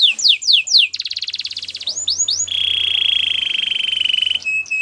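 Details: Canary training song: quick falling whistled notes, a rapid rattling trill, more sweeping notes, then a long even rolling trill held for about two seconds.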